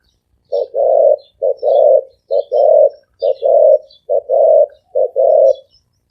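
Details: Spotted dove cooing in the deep, resonant thổ ồm vang style: eight paired coos, a short clipped note then a longer full one, repeated steadily about every 0.9 seconds, with faint high chirps behind.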